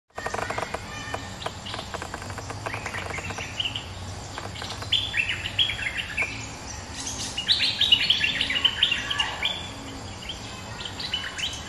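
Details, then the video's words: Resident bulbul answering a rival: bursts of sharp, bubbly chirps and short whistled notes, mostly high-pitched, tumbling in irregular rapid runs that grow busier and louder after the midpoint, over a steady low background hum. "เสียงนกดอกแตงEp.209 ถูกคู่ เจ้าถิ่นริก!!กระจายเลย Suara pikat merbah lekir gacor"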